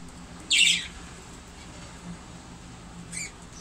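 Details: A cockatiel eating seeds gives one loud, harsh squawk, followed later by a much fainter short note; Cockatiel (Nymphicus hollandicus) call.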